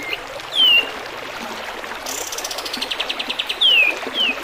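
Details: A kapas tembak bulbul gives a loud, clear descending whistle, then a pulsed buzzy trill, and ends with two more falling whistles, set against a bed of trickling water in a recording for teaching birds to sing.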